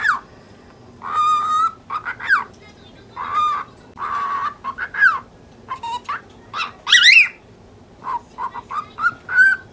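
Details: Pet lutino cockatiel, ten months old, angrily talking at a budgie chasing it through the cage, interrupting its chatter with throat-clearing coughs: short nasal speech-like syllables around mid pitch, with a loud rising screech near the end.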